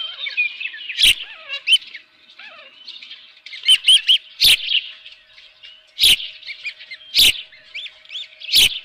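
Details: Osprey at its nest with a live fish, 7:32 in the morning on 24 June 2018 at Dunrovin Ranch: thin, high chirps with short curved whistled notes come in loose runs, broken by loud sharp knocks every second or so.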